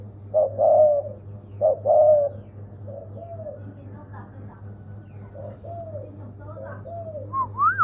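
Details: Spotted dove cooing: two loud throaty coo phrases at the start, followed by softer, fainter coos and a rising whistled note at the end over a constant low hum.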